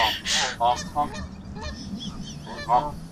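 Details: Geese, a group met along a walking trail, honk loudly in harsh nasal calls about three times a second with some overlapping, over a low background rumble.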